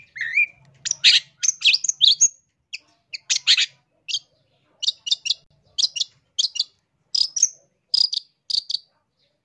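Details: Long-tailed shrike in Indonesia, a vigorous full-filler master song used for training or luring birds: rapid, varied bursts of sharp, high chattering notes, a few rising whistles at the start, then clipped phrases repeated about twice a second.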